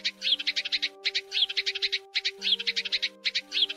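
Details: Sparrow calls used as a lure for trapping birds during the Tet season of the Lunar New Year 2022: rapid bursts of high, sharp chirps repeated roughly every second, over steady background music.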